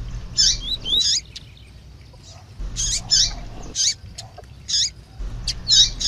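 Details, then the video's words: Double-collared seedeater with a female's call, used to excite the male. Short buzzy high bursts and thin chips come at uneven intervals, separated by quiet pauses, over a low hum. "PAPA CAPIM CANTANDO TUI TUI COM PIADO DE FÊMEA"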